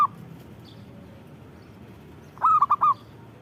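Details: Zebra dove, a local perkutut, delivering a single crisp phrase of four quick ringing coos after a near-silent stretch, with the tail of an earlier note at the start and low hum underneath.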